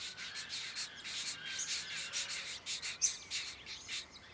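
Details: Diamond firetail in Victoria, Australia, November 2014, giving a steady run of short, hissing, high-pitched bursts roughly every quarter second, softer and slightly more distant, with faint background noise.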